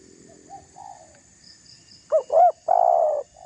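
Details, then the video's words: Spotted dove cooing to provoke rival doves; soft distant coos first, then one loud phrase of two short upslurred notes and a long rolling coo. "Suara tekukur GACOR merayu lawan agar terpancing emosi"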